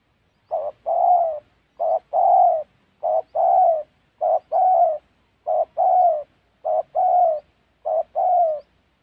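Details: Seven regular two-part coo phrases from a spotted dove, one roughly every 1.2 seconds, a clipped note then a longer husky falling coo; recorded while trapping in wild Central Highlands forest, Gia Lai, Vietnam.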